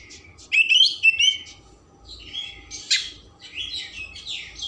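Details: Oriental magpie-robin singing to provoke emotion and tail spreading: rich warbled trills and rapid whistled runs, loud at first, then softer scratchy varied phrases with a sharp note near the middle.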